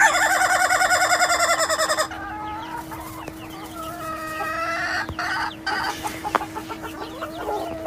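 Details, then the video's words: Ayam Ketawa chicken crow ending in a fast train of rapid pulsed notes lasting two seconds, then softer calls and clatter over a steady electrical hum. "Suara Kokok Ayam Ketawa yang Lucu dan Unik"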